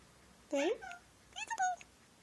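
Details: Pet male Indian ringneck parakeet talking, repertoire including give me a kiss and thank you: two short loud spoken-sounding bursts half a second apart, the second with clipped, falling syllables.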